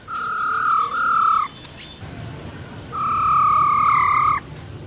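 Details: Wild-type song of a female silver-eared laughingthrush, sung to excite males: two long, steady, pure whistled notes at a level mid pitch, separated by a short silent gap.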